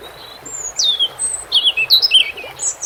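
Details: European robin song with water sounds: a varied phrase of thin, very high whistles, a long slurred downward note, then a rapid tumble of twittering notes sliding up and down, against a steady watery hiss.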